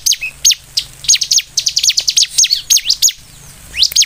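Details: Bar-winged prinia (ciblek) singing loudly as a lure for other prinias: sharp, high, strongly swept chip notes in irregular bursts, a short whistled tone near the start, and quieter gaps late in the sequence.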